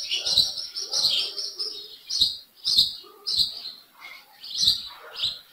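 A wild bird sings bursts of bright, high chirps and warbled notes, each phrase lasting under a second and coming in quick, uneven succession.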